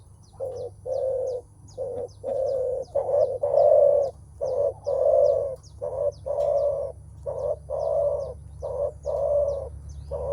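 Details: Spotted dove, a male-typical menguku call on meeting an opponent and preparing to fight: long series of around a dozen low, rough coos, evenly spaced, with rapid faint high ticking from small birds throughout.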